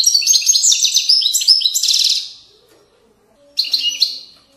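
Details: Moroccan widani song of a European goldfinch: a rapid two-second run of jangling, tinkling twitters, a pause with a faint low hum, then another short bright burst.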